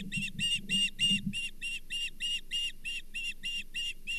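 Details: Calling osprey at the Charlo nest, 24 April 2023, as a brown bullhead is shared; steady string of whistled chirps, roughly three each second, with brief low rustling at the start.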